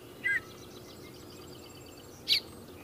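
Yellow-breasted chat giving two short, separate notes two seconds apart: a brief mid-pitched whistle, then a sharper, higher chip, over a low steady background hiss.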